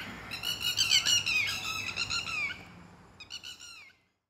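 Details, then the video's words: Garden-dwelling pair of red-wattled lapwings that become loud and attack intruders approaching closely; a dense, rapid string of strident, high, descending calls, fading, then a shorter run of sharp notes before abrupt silence. "Red wattled Lapwing Call"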